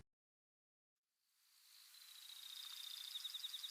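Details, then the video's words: A Brewer's Sparrow in dense big sagebrush near Silver City, Montana, at sunrise in July gives its long song: a high, thin series of fast buzzy trills, sung early in the day to claim and defend territory. "these are their long songs the elaborate series of trills they give early in the day to claim and defend their territories"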